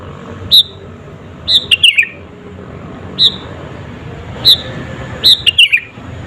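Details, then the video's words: Sooty-headed bulbul singing to provoke rival birds, mixing single clear whistled notes with short tumbling phrases of descending whistles, spread unevenly over six seconds above a low hum. "SUARA BURUNG KUTILANG GACOR ASLI TAMPA ISIAN..,!!!pancinga kutilang bikin lawan emosi..."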